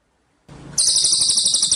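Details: Cililin bird in lively song for a tutor recording: a faint hiss, then a sudden very high, buzzy trill of rapid, evenly repeated pulses.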